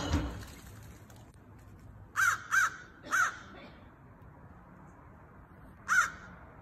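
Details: Crow in a backyard where peanuts are left out, taking a cached peanut from one of its hidden stashes; four short, harsh caws in quick succession, a pause, then one more caw over faint background noise.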